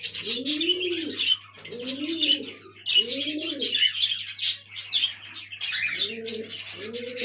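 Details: Young black fantail pigeons, with rounded rising-and-falling low coos roughly once a second and busy high-pitched squeaks and chirps over them, a faint constant hum underneath.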